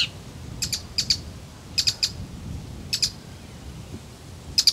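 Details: Male Bull-headed Shrike singing softly while performing a courtship display to a female. Short high chirps come in paired or tripled bursts every second or so, with a quiet rural background.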